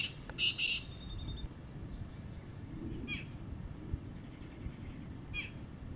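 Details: A wild black francolin on the ground picking up food in the evening opens with two loud, harsh, grating notes, followed by a few faint scratchy calls over a steady low rumble of background noise.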